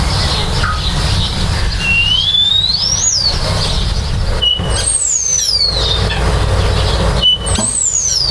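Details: Nest-building common starlings give long, drawn-out whistles that rise slowly and then fall, followed by two more sweeping downward slurs, over a loud steady background drone.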